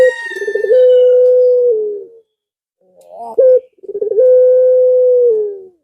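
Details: Pelung-style male Barbary dove cooing to attract a female: two long, level, mellow coos, each opening with a rolling stutter and sagging slightly at the close, separated by a short hooting note.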